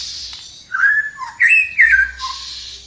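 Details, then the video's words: Flowerpecker singing energetically: a clear whistled phrase of sliding notes, a long level whistle dipping to a lower note, then two brighter rising-falling whistles, with soft hissing bursts before and after. "suara burung tledekan gacor mantap habis"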